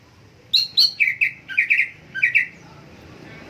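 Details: Greater green leafbird singing a short phrase: two high whistled notes, then a quick series of lower repeated chirps in small clusters, over faint background hiss.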